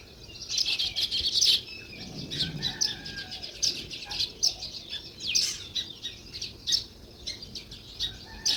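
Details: Sparrow outdoors giving short, sharp, high chirps repeated in quick irregular bursts, several each second at times, with soft low background rumble.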